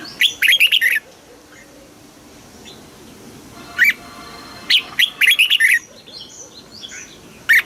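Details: Red-whiskered bulbul, caged, singing in the southern master style for teaching young birds. A fast warbled phrase is followed by a long pause, then a single note, another quick run of bright whistles, and one final short note.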